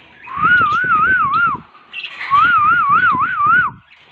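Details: Pet green parrots whistle two long wavy phrases, each a smooth undulating tone lasting over a second, separated by a short pause, with soft rustling underneath.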